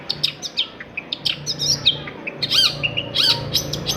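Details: Long-tailed shrike song played as a lure to make silent shrikes start singing: a busy run of varied high chirps, short sweeping notes and downward-curving whistles in quick, irregular succession over a low steady hum.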